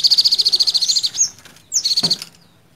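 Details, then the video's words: An olive-backed sunbird sings rapid, high, thin trills of about fifteen notes a second, with brief sweeping chips between two bursts. "Suara Kicauan Sogok Ontong"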